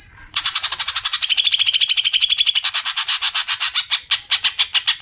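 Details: Long ngekek chatter of a green leafbird (cucak ijo), used as a lure for long chattering: a continuous fast train of rasping pulses lasting nearly five seconds, slowing slightly toward the end.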